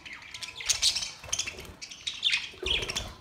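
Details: Budgerigars on May 29, 2023, with breeding noted: dense warbling chatter in clustered bursts roughly every second, harsh chirps mixed with softer twitters, and a few low thumps.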